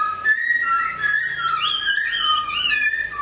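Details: Moulting Hwamei giving smooth, sustained whistled tones that glide between pitches with little break, steady and flute-like throughout.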